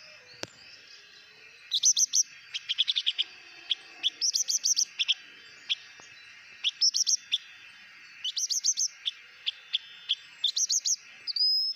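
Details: Blue-winged minla giving hót mồi song, short phrases of bright, high, rapidly repeated chirps separated by brief pauses, each phrase ending in a cluster of sharper notes, against a quiet background.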